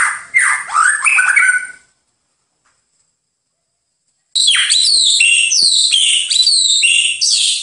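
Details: White-rumped shama master song for bird training: a burst of varied, swooping whistles and trills, a pause of over two seconds, then a long, dense, high warbling phrase of rapid chirps.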